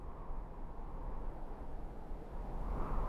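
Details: Dull, low rumbling background noise, with no calls or song standing out.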